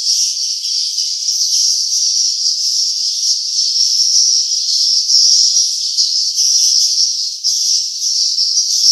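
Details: Continuous high, hissing chatter of swiftlets at their nests, a thick uniform chorus lasting nine seconds with only slight swells in loudness.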